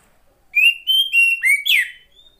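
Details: Female Oriental magpie-robin, a sound used to coax silent males into song. Five strong, pure whistled notes in a row, mostly level, with the last sweeping downward, then a faint thin trailing note.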